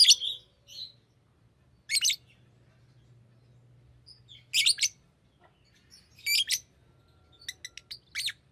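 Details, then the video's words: Chirping of a green lovebird, heard as widely spaced bursts of shrill, scratchy notes, some in quick double or triple clusters, separated by quiet gaps of a second or more. "Green Lovebird Chirping Sound"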